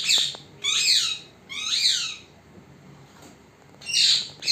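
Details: Pet parrot, recorded in secret so it could not see; loud, harsh calls with stacked, downward-sweeping harmonics, four to five bursts spaced about a second apart with short quiet gaps between.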